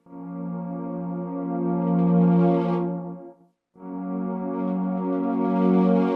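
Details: Sustained organ chords play, swelling and fading with a brief break midway; no animal is heard.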